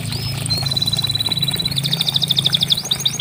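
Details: Canary song from a recording meant to get stalled canaries singing: a soft rising note, a long thin high trill, then louder pulsed notes and sweeping whistles, over a steady low hum.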